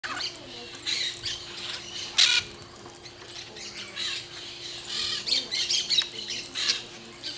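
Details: Peach-fronted parakeets (Eupsittula aurea) giving harsh, grating squawks in irregular bursts, several overlapping, with a steady low electrical hum underneath.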